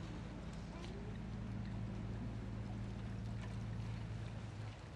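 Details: A steady low engine drone from a boat dominates, with faint wind and water noise and no clear animal calls.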